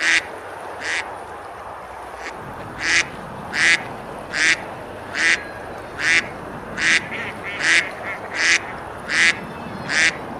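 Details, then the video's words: Ducks quacking while feeding and splashing on the river beside a medieval village in Girona, Spain, in summer: a regular run of loud, raspy quacks roughly 0.8 seconds apart after a quiet start, with steady river noise. "Ducks quacking, eating and splashing on the river"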